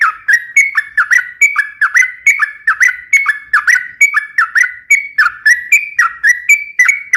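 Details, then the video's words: Lively Sooty-headed bulbul song for use as a lure and training tutor: an unbroken run of clear whistled phrases, each slurring down then up, repeated over a second or so, with no other sounds. "suara trucukan gacor cocok untuk pancingan dan masteran"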